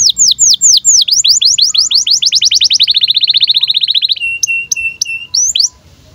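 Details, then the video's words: Canary song in breeding condition, played to young canaries as a tutor: a long rolling series of quick sweeping notes that speeds into a fast trill, followed by sharp separate chirps. "KENARI GACOR Cuit CUIT BIRAHI UNTUK PANCINGAN & MASTERAN Kenari PAUD AGAR BUNYI DAN NGEROL"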